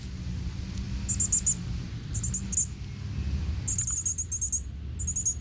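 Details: Northern Cardinal nestlings in Texas woods, being fed by their father, give very high, thin, rapid notes in bursts of three to six, over a steady low rumble.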